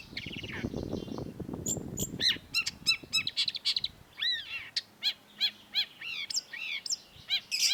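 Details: Master song of a long-tailed shrike used to train cage birds: after a burst of low noise, a rapid run of sharp stacked notes and arched whistles repeated about twice a second.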